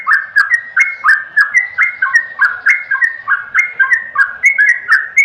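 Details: Trucukan, the yellow-vented bulbul, delivering clear, liquid warbled phrases in quick succession, each note sliding down then jumping back up, steady and cheerful throughout, with sparse faint high ticks over a clean background.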